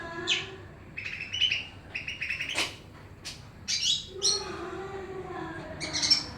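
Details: Energetic song of a greater green leafbird of the Pakpak type amid noise, a varied mix of chirps, buzzy bursts and sharp clicks with irregular spacing over a low background drone.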